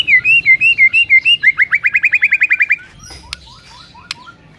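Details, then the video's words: White-rumped shama singing to provoke a rival: a wavering whistled phrase, then a fast rattling series of rising notes, followed by quieter chips and clicks against a low background hum. "5 DETIK DI PAGI HARI SIAP BIKIN MURAI LAWAN AUTO NARUNG & GACOR SEKETIKA"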